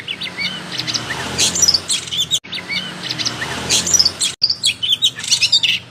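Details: Oriental magpie-robin singing with tail fully opened: quick chattering notes, short whistles and scratchy bursts in loose repeated phrases, broken by two abrupt brief silences.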